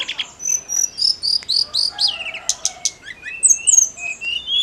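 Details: Snowy-browed flycatcher singing energetically, meant to excite other songbirds: sharp high chirps, buzzy twittering bursts and drawn-out thin whistles slurring up and down, delivered in fast irregular pulses.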